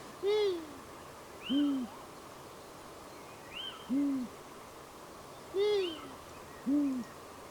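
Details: Long-eared owl (Asio otus) giving its strange broken call at night, low hollow hoots in broken pairs about a second apart, with a little owl's faint, higher, cat-like mewing behind.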